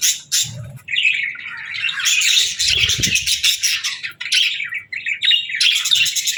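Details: Several budgerigars chatter continuously in bright, high, scratchy warbles and quick chirps, overlapping, with a few soft low thumps.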